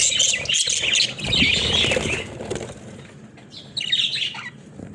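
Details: Budgerigars playing in their cage: about two seconds of scratchy warbling chatter with fluttering wing sounds, then a quieter pause and a brief final burst of chirps.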